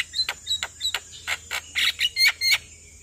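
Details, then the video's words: In the morning a Javan myna sings with head bobbing, used to train captive birds: a quick series of harsh, scratchy notes about three per second, ending in brighter squeaky calls over a steady hum. "Jalak Kebo Gacor Mnggut manggut pas Buat Masteran Jalak Pagi Hari"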